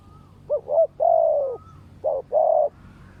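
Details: Spotted dove decoy bird answering a fierce wild dove: low mellow coos in a short phrase of two quick notes, then a longer drawn coo. The phrase is repeated after a pause, with faint background hum.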